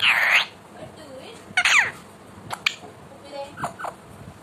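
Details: Indian ringneck parakeet kept as a pet, talking: a loud, rasping, word-like burst opens, followed by a shorter squawked syllable with falling sweeps and a few faint clicks and soft notes.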